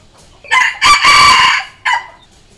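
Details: Red junglefowl decoy crow, used to lure and provoke wild junglefowl and train decoy roosters so every cock answers; a harsh, raspy crow in three bursts: a short opening note, a long loud middle phrase, then a clipped final note, with a quiet background.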